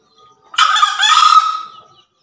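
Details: Javan green junglefowl giving one hoarse crow of the 'gacor terasan' style: after a faint soft note, a single rough, buzzy, broadband phrase lasting about one and a half seconds, fading out at the end.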